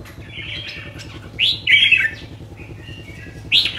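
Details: Red-whiskered bulbul, a kept cage bird, sings loud clear whistled notes: a soft opening, a strong swooping double phrase in the middle, then a final bright upslurred note, over a faint low hum.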